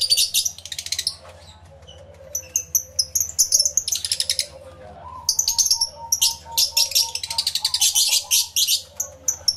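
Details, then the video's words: Numerous aviary lovebirds, some yellow-collared, recorded through two external microphones on a camera: groups of shrill, rapid chirps alternate with short, clipped high squeaks, with a quiet sustained whistle in the background. "1 Hour Lovebird Sounds Aviary Series V1"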